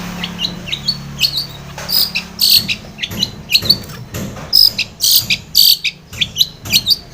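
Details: Long-tailed shrike singing as a lure to make a stressed, silent shrike sing: a fast jumble of harsh scratchy bursts and sharp high whistles, with a faint low hum in the background.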